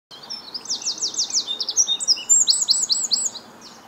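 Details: A Eurasian wren, breath visible on a chilly April morning (9 April 2022) in Reading, UK, pours out a loud, rapid song of high trills and sharp ringing notes, about three seconds long, over a faint background hiss.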